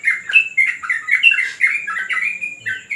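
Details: Short burst of yellow-vented bulbul song at a terrace training session: rapid, fluty, slurred notes rising and dipping, packed tightly one after another, with a faint high hiss.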